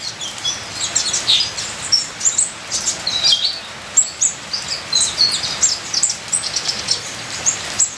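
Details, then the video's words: Ninja sunbird full-fill song over rain: a long run of high, thin chirps and squeaky twitter phrases coming in uneven clusters, with steady patter of rain throughout. "Terapi Suara Kolibri ninja full isian"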